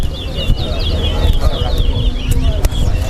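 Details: A Large-billed Seed-Finch (towa towa) at a bird singing competition at Lusignan bird ground sings a quick, continuous run of sweet warbled and twittered notes over loud low crowd murmur and talking.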